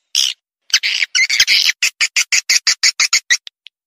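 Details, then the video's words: Swiftlet call played to attract swiftlets: a few longer rasping bursts, then a steady train of short, high, buzzy chirps about four per second, ending with two faint isolated notes. "Panggil burung walet suara"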